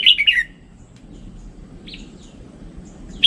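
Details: Red-whiskered bulbul singing: a brief burst of quick bright whistled notes at the start, then near quiet with a low hum, and one sharp note at the end.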